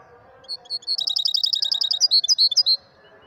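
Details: Goldfinch of the Moroccan maestro style delivering a tight, even trill of about fifteen high notes, ending in several louder, sharper chirps.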